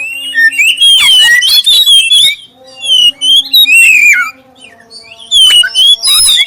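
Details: Black-breasted oriental magpie-robin singing clearly as a lure for other magpie-robins: three loud phrases of rich, rapidly changing whistles and trills, separated by short quiet spells, over a faint constant hum.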